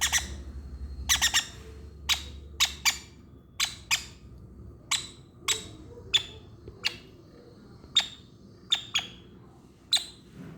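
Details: Young conure crying while it is fed by hand; an irregular series of brief, scratchy squawks, some bunched in quick doubles, repeated about every half second to second over quiet indoor hum.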